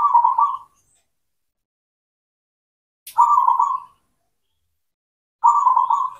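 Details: Cemani zebra dove of local stock singing steadily, meant to coax silent doves back into song: three rhythmic, beaded coo phrases spaced roughly every two and a half seconds, with a brief click before the second.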